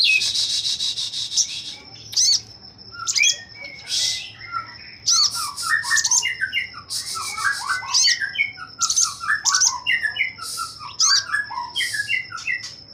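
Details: At a magpie-robin breeding farm, a Sogon sings with wings spread: an opening buzzy wash, then many quick twittering notes sliding between middle and high pitch, with sharp high chirps interspersed.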